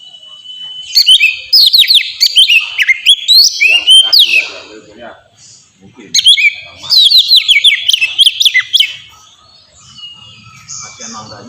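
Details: Oriental magpie-robin (kacer) singing in the clear 'ngeplong' style, a recording used to lure and stimulate pet birds into singing: two bursts of rich, varied whistles with quick sweeping slurs and chirps, separated by a pause, then a quiet ending.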